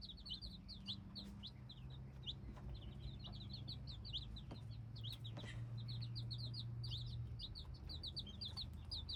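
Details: Dense chorus of hybrid chicks: rapid high cheeps tumbling over one another, more than two a second, above a constant low droning hum.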